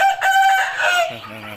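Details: Rooster crowing, voice said to be not yet fully developed: a loud, harmonic, drawn-out crow lasting about a second that sags slightly at its end, then a man's voice talking.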